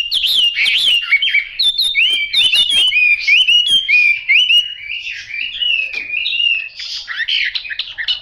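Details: Chinese hwamei with yellow bill and legs delivering varied whistled phrases broken by sharp clicks, with quick rising and falling slurs and brief pauses between bursts of warbling.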